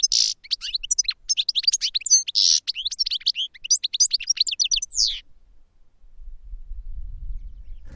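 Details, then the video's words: Goldfinch song as one sustained five-second outpouring of rapid twitters, harsh buzzes and tinkling chips, then quiet with soft low rumble. "Goldfinch Song to Educate Newcomers to Their Call"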